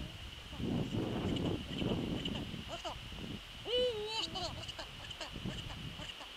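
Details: Eurasian eagle-owl visiting its nest on an evening in late December 2013, giving one clear drawn-out tonal call with a short rising start, after rustling and scraping sounds at the nest.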